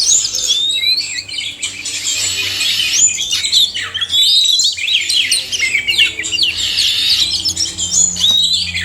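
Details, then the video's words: Male and female oriental magpie-robin song, intended to prompt kept birds to sing: long unbroken flow of whistled slurs, rapid warbles and rasping chatter from overlapping birds. "suara kacer/sekoci jantan dan betina"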